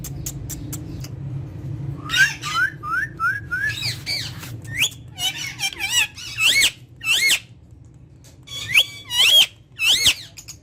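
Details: Talking rose-ringed parakeet, spoken to face to face in Urdu or Hindi, gives four quick rising chirps, then strings of bright, wavering speech-like syllables with pauses between, in a quiet room with a low hum.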